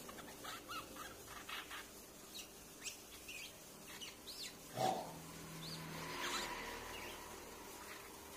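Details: Streak-eared bulbul giving short, bubbly chirped notes in quick irregular bursts, a recording used as a lure call; a sharp knock midway and a faint steady hum underneath.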